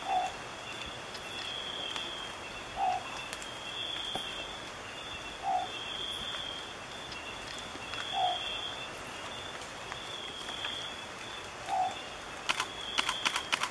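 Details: Long-whiskered owlet at Fundo Alto Nieva near Abra Patricia, northern Peru, in March 2014, giving short, low, soft hooting notes, one about every two and a half seconds, over a steady high insect drone.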